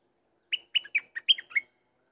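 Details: Sooty-headed bulbul singing one quick phrase of about seven clear, slightly slurred whistled notes, bubbly and descending in steps, over silence.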